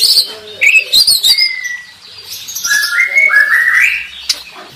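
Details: Oriental magpie-robin master song for training contest birds: varied whistled phrases, with sweet rising and falling notes, a long steady whistle near the middle, then a rising run of notes toward the end.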